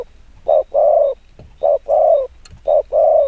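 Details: Spotted dove decoy cooing quickly to excite wild doves, three clean phrases of a brief coo followed by a sustained, gently falling coo, quiet gaps between.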